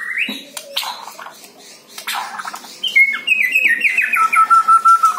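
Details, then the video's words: Song of a white-rumped shama used to stir captive birds into song: scratchy rasps early, then a fast series of repeated stepped whistles ending in steady pure tones about three per second. "PANCING MURAI BATU ANDA DENGAN SUARA INI"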